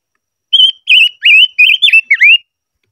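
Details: Silver-eared mesia singing during voice training: a short run of six bright whistled notes, some level and some dipping and rising, given in quick succession over about two seconds against a quiet background.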